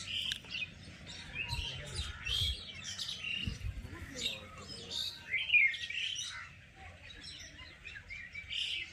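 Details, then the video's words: Birds chirping around a village, with many short, high twittering notes scattered throughout and soft low background rumble. "bird chirping sound"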